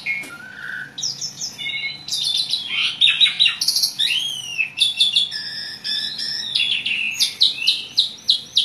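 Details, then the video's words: Varied chattering song of an Asian pied starling, full of mixed phrases: a low whistle, then rising slurred notes, buzzy bursts and quick repeated chirps, bright and high-pitched throughout. "jalak suren gacor ngoceh banyak isian"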